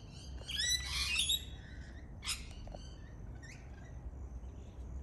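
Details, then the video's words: Lorikeet, a native Australian parrot, letting out one loud rasping screech burst around the first second, a shorter harsh note after it, then faint scattered chips over a low background hum. "Native Australian Birds Lorikeet Parrot Sounds"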